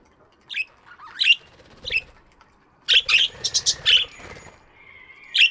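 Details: Aviary budgerigars in the morning trading quick scratchy chirps and squeaks, a dense cluster midway, with faint wing flutter and rustling.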